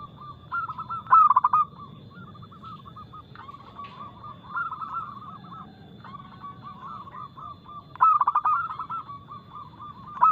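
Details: Loud, crisp fast-paced cooing from a local zebra dove: clipped staccato notes run into long rolling, bubbling coo sequences, with strong phrases near the start and end and a steady faint electronic hum.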